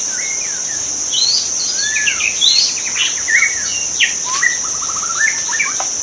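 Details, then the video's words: Wild white-rumped shama pouring out a dense, varied phrase of looping whistles, swooping slurs and a fast stuttering trill near the end, backed by an unbroken shrill insect hum. "kicau murai batu di alam liar"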